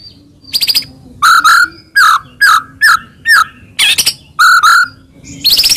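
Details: White-rumped shama song used to provoke another shama: spaced loud phrases, each a buzzy burst followed by a rich mid-pitched whistle, repeated about every half second to second.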